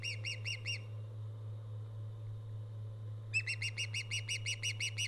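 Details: Osprey at a live-camera nest, recorded 24 August 2014: a quick burst of four shrill, whistled chirps with bright overtones, a pause, then a longer run of about a dozen rapid, evenly spaced chirps over a steady low electrical hum.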